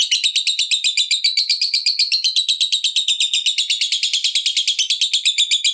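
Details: Continuous long ngekek chatter from a fighter lovebird, used to provoke other lovebirds into singing; rapid, piercing, buzzy pulses repeat evenly, wavering slightly in pitch, with no other sounds.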